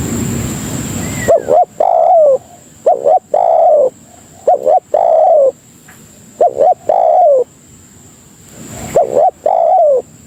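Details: Spotted dove (tekukur) cooing to lure other doves: after a second of rough noise, a run of phrases with clipped double notes and long slurred coos that drop slightly in pitch, regularly repeated.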